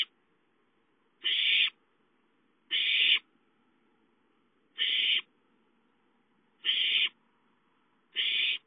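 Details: Hungry owlets at home, 5-9-13: a series of six coarse, hissing screech calls, each under half a second, at uneven intervals of one to two seconds.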